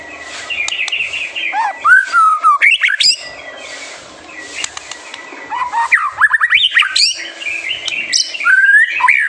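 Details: White-rumped shama master song for provoking young birds to sing: rich varied whistles and slurred notes mixed with sharp high chirps, in bursts separated by brief pauses.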